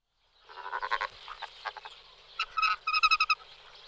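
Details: Pink-footed goose giving quick bursts of short, nasal, harmonic calls, clustered at first, then a brighter run of repeated yelping notes near the end, with faint background chatter.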